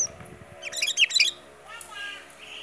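A Sooty-headed bulbul gives a quick, jumbled burst of bright chirping notes lasting under a second, followed by a few softer, scattered whistles.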